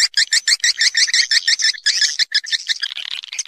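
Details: Swiftlet lure call for roosting, taken from nature: a fast, evenly spaced series of clipped, bright chirps, about three each second, blurring into a denser twitter toward the end.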